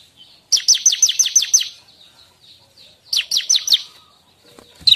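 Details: Song of a Bar-winged prinia for luring and training songbirds: two bursts of six or so rapid, ringing high chips, separated by soft scattered twitters.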